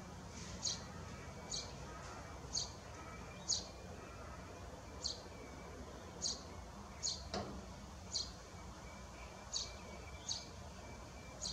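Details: A Eurasian tree sparrow, a now-rare species here, breeding in a nest box on a shed at Landje van Geijsel on 21 May 2022, gives short, bright chirps about once a second over a low steady background hum.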